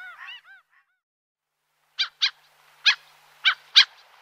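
Common Gull giving a quick cluster of high, mewing squeals, then five short, harsh, clipped calls spaced about half a second apart.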